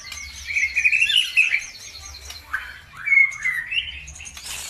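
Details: Bird song used to stir other birds to sing. Busy high twittering comes in two bursts, with sliding whistled phrases and short trills. A faint low hum sits in the background.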